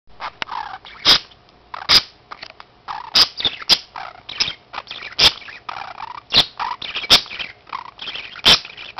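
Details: Two pet budgerigars feeding each other chatter in quick, scratchy bursts, broken by sharp ticking clicks.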